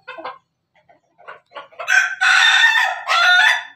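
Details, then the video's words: Pelung chicken of the Bangkok laughing type crowing: a few soft scattered notes, then a loud, harsh, broken crow in two long bursts. "ayam pelung Bangkok ketawa"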